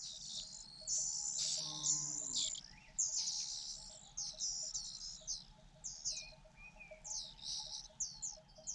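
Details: Fujian niltava young begging while their mother brings food: rough, high, wheezy begging bursts that repeat and gradually shorten into separate chirps, with an occasional lower whistle.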